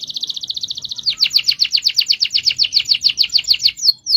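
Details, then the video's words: Caged canary in rolling song, a fine rapid trill that breaks into a long series of louder rhythmic pulsed notes, about five per second, ending with two short whistles. "MASTERAN KENARI NGEROL DURASI PANJANG"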